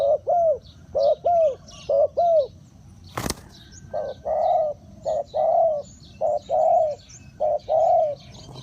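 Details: Spotted dove calling as a decoy for wild birds: low, rounded coos in pairs and longer drawn notes, with a sharp click or knock midway; light high chirping of other birds throughout.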